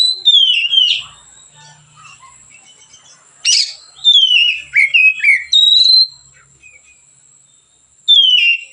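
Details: White-rumped shama singing calmly, a song used as a lure for training other birds: descending whistled phrases, a sharp high burst, a cluster of quick sliding notes, then a pause and a final whistle.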